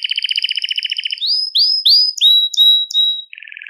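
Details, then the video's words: Song of a Belgian canary, played to attract and call canaries: a fast low rattling trill, then upslurred whistles and long clear held notes, ending in a buzzy roll. "CANTO PARA ATRAIR E CHAMAR O CANÁRIO BELGA"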